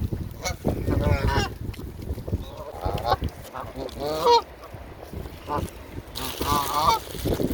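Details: A hungry Canada goose gives loud, harsh honks in quick irregular bursts while eating, mixed with the screaming cries of gulls feeding alongside and some low background noise.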